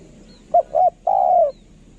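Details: A single coo phrase from a spotted dove kept for decoy work: two quick soft notes, then one long mellow coo that sinks slightly at its end.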